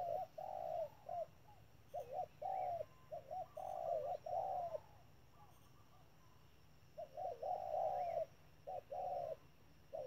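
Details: Decoy spotted dove at a trap cooing in the 'thúc' style, with clusters of deep, soft notes, a long quiet pause midway, then further coo phrases.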